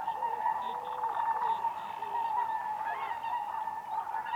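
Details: Whooper swans gathered on a spring lake, dancing on ice: a steady chorus of many trumpeting honks layered over one another, with some short nasal notes rising and falling through the flock.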